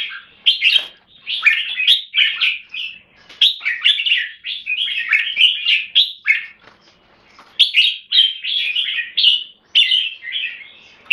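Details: Red-whiskered bulbul, a kept jambul from Singapore, in solid clear keke and singing: bubbly, fast warbling phrases in clusters separated by short gaps, bright and lively throughout.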